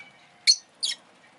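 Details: A pair of quick, bright, shrill chirps from a rosy-faced lovebird, the second slightly softer, with a faint hiss behind.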